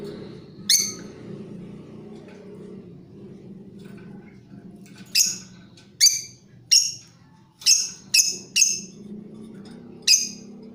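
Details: Creamino lovebird giving a lure sound used for training other birds, described as trilling and chattering: sharp high chips, one early, then a run of seven spaced irregularly about half a second to a second apart, over a steady low hum.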